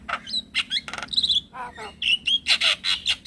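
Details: Male Javan myna calling to lure other mynas and starlings; a quick mix of harsh notes, a buzzy rattle, short whistled phrases and a closing string of loud repeated chirps.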